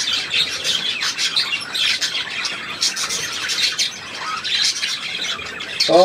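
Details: Budgerigars recorded on 3 April 2017, a dense continuous chatter of high chirps, squeaks and warbled notes overlapping throughout, with a short lower squawk at the very end.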